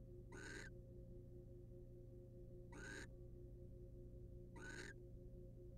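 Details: Wild barn owl male preening the female in a nest box; three evenly spaced, breathy, grating screeches about two seconds apart, low electrical hum throughout.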